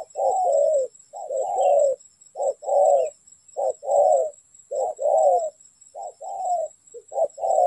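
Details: Spotted dove calling during bird trapping, a steady run of low, mellow coos, each short note followed by a longer, slightly falling hooting syllable, the paired phrases repeated about once a second.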